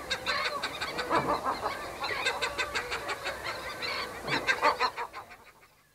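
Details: Western gull pair at their nest giving low-intensity anxiety calls, with terns also present: rapid, nasal, harmonic-rich notes repeated in dense overlapping bursts, several callers at once, fading out toward the end.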